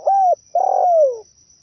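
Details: Zebra dove song used as a trapping lure: two soft, hollow cooing notes, the second longer and sliding downward, over a faint steady high electronic whine.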